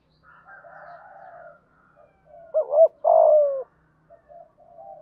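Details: Spotted dove cooing in 'thúc gù' style with 'giọng thổ' voice, used to quickly stir other doves; faint low coos lead into one loud phrase, a quavering double note followed by a drawn-out descending coo.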